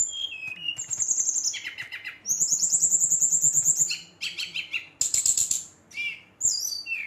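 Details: Song of a brown-chested jungle flycatcher roused to provoke other males: shifting high trills, a long sustained rapid rattle-like trill and sharp descending whistled notes, in varied phrases.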